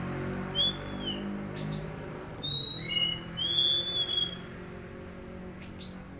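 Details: Magpie-robin singing to help a young untrained bird start singing: a sliding whistle, then a run of varied clear whistled notes, broken by short scratchy chatter bursts, with soft low hum behind.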